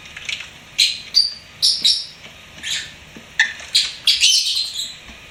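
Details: Lovebird kept as a pet, singing and chirping with shrill, harsh high notes in clustered pairs and short scratchy runs, ending in a longer chattering burst.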